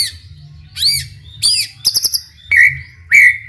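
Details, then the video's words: White-rumped shama song used to provoke other shamas into singing: separated phrases of arched whistles and a quick burst of four sharp high notes, ending with two longer whistled notes. "MURAI BATU GACOR COCOK UNTUK MEMANCING MURAI SUPAYA RAJIN BUNYI AUTO NYAUT IKUTAN GACOR"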